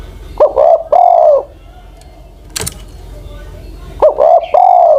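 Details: Old decoy Spotted Dove, aged over ten, giving two low cooing phrases of quick notes and a sustained coo, separated by a sharp click of handling noise.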